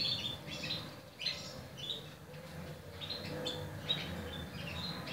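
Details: Young Portuguese Harlequin canaries giving high, thin chirps and short upslurred squeaks at an irregular, fairly rapid pace, with some notes drawn out, over faint low background noise.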